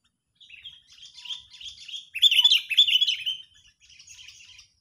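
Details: Agitated sooty-headed bulbul calls meant to lure and trap other birds: soft scratchy twitters building into a loud, harsh chattering burst, then fading to quieter warbling notes.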